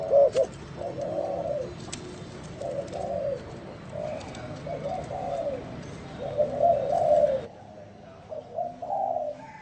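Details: Soft, muffled coos of a spotted dove in an unusual style, given in drawn-out low phrases against steady background hiss, with a drop in noise near the end.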